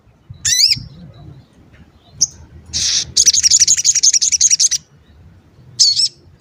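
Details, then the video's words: Sogon (crimson sunbird) lure call meant to make other sogon sing and get excited: a few isolated high, sliding chirps, then a rapid run of shrill repeated tweets lasting about one and a half seconds, then one more chirp. "Pancingan Sogon Agar Bunyi dan Emosi, Sogon Bahan Auto Nyaut dan Cepet Rajin Bunyi"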